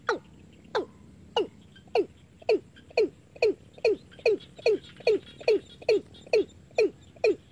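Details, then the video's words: Watercock calling, a recording played day and night as a lure for catching birds: a series of short, hollow, downward-sliding notes, roughly two per second, steady and regular throughout. "tiếng cúm núm ngày và đêm ăn chim"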